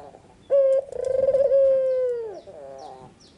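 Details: White red-eyed Barbary dove singing in the afternoon: a clear low coo, then a long rolling, slightly wavering note that slowly falls at the end, with a softer coo following.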